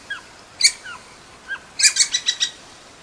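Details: Little woodpecker giving a few soft, thin descending notes, then a single sharp burst, followed by a rapid run of five or six harsh, rattling notes. The background is quiet.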